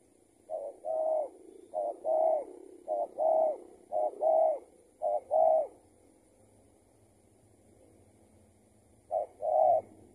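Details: Spotted dove, a tethered bird that escaped another trapper, answering during trapping; six low hollow coo phrases, each a clipped note followed by a longer one, a pause of several seconds, then one more phrase.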